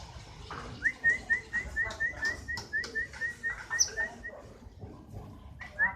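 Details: Fighter-style canary (kenari) song: a series of short, bright whistled notes on a steady pitch, repeated about twice a second, with soft clicks and light background noise.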